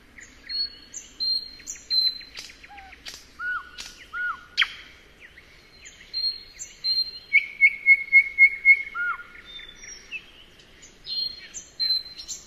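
A nightingale sings varied phrases of clear whistles, sharp chirps and rapid runs of repeated notes.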